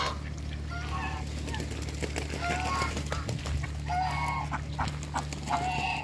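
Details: Pekin ducks, two males and one female, meeting other ducks on a farm; short nasal quacks and honking calls repeated through the clip over a steady low mechanical hum.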